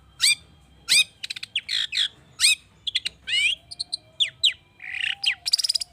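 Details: Long-tailed shrike singing an agitated, richly varied song of mimicked fill-ins, played to get other birds singing; steeply falling whistles, rapid clicking trills, buzzy notes and a thin drawn-out tone, all quick and high.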